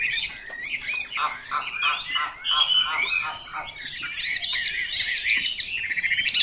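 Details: Chinese hwamei delivering a dense, varied song of overlapping warbles and quick rattling note clusters, with sustained higher whistles toward the end; moderately loud against a quiet background.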